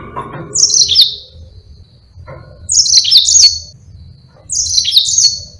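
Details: Yellow-fronted canary in energetic, long rolling song used as a tutor for other birds: three high, bright twittering phrases that slide downward, spaced about two seconds apart, with quiet gaps and faint low rumble between them.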